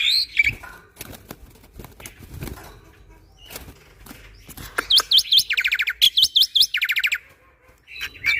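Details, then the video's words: Black-winged starling in constant shot-filled training song. Soft scattered chirps and a faint flutter give way to loud bursts, each a sharp rising whistle followed by a fast buzzy rattle, repeated several times. "Jalak Putih Super Gacor Full Isian Tembakan"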